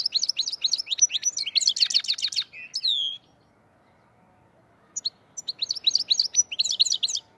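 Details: Black-headed goldfinch singing near Andijan, Kuva and Fergana: fast bright twittering phrases of high chirps and short trills, a three-second burst, a pause, then a second twittering run.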